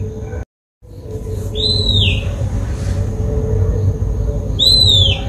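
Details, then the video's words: Oriental magpie-robin in Sri Lanka, recorded on a Nikon COOLPIX P1000: two clear, arched whistles, each rising then falling and about a second long, spaced roughly three seconds apart, over a steady low rumble and a faint constant high tone. "Oriental magpie-robin calls"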